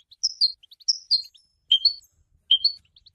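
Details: European goldfinch singing: bright twittering phrases of quick high chirps and short slurred notes, in two brief bursts with pauses between.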